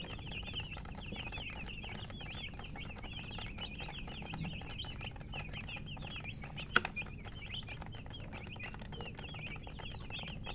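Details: Chickens chirping: a continuous stream of high, thin, downslurred peeps from several birds, overlapping steadily, with one sharp click partway through.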